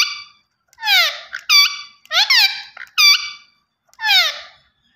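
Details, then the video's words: Green ringneck parakeet kept indoors, uttering about six loud grating squawks spaced roughly half a second to a second apart, several sliding downward, others level and nasal. "Gareen Ringneck Parrot Talking Vice Always Superb"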